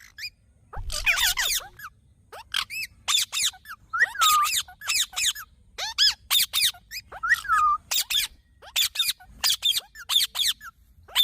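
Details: Dense series of green parrot squawks mixed with shorter downslurred whistled notes, calling almost continuously with little pause.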